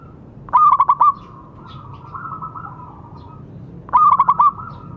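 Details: Local zebra dove calling to encourage other doves to sing: two loud bursts of rapid stuttered notes about three seconds apart, with a softer wavering coo between them.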